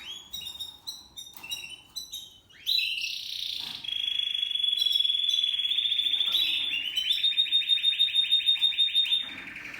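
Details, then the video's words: Spanish Timbrado canary, a seven-month-old male, singing discontinuo: scattered short notes, then a long steady metallic roll lasting about five seconds that turns into a pulsed, bell-like repeated trill. "Spanish Timbrado Canary Twitter Timbrado_Canary,timbrado discontinuo تغريد كناري التمبرادو"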